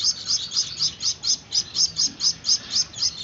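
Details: Gouldian finch chicks begging during hand-feeding: a steady run of high, scratchy chirps, about four each second, evenly spaced.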